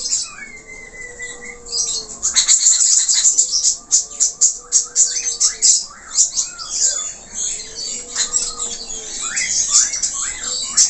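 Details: Budgerigar singing vigorously in 'gacor' style with many filler notes: a dense, continuous chatter of sharp chirps, clicks and short falling whistles, with a drawn-out whistled note early on.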